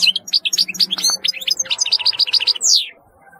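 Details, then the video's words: European goldfinch producing a continuous, lively string of high chirps and trills that ends in a clear downward-sweeping note. "تغريد رهيب للحسون"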